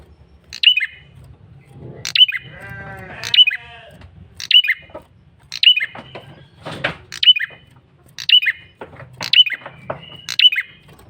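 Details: Lure call of a male red-headed prinia. Loud, high, snapping chirps with a quick downward slur are repeated roughly once a second, broken by a short buzzy rattling burst, over a faint low hum.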